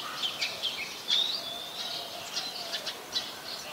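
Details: Brown-throated sunbirds, a male and female, in Ubon Ratchathani, Thailand, 3 January 2021, taped on a Nikon P1000; high thin chirps and short squeaky notes repeated irregularly, with one brighter whistled note near the middle and steady hiss behind.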